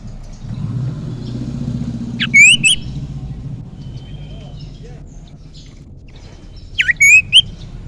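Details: Young wild common iora, used for luring: two separate whistled phrases, each a sharp upward sweep into a wavering high note, several seconds apart, with low rumbling background noise.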